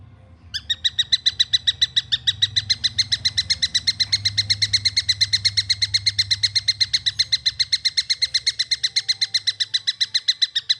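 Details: Long-tailed shrike chick starting abruptly into an unbroken train of rasping, repeated notes, roughly four a second, loud and regular, over a soft low hum.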